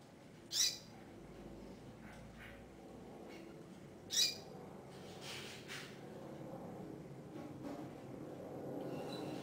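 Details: Female double-collared seedeater calling to the male: two sharp, loud, high chip notes about three and a half seconds apart, with fainter softer notes after them over a low hiss.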